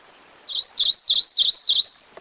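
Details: ['Rufous-crowned Greenlet singing a run of five bright, high notes, each a short upward-then-down slur, evenly spaced, with a faint click near the end and a soft background hiss.']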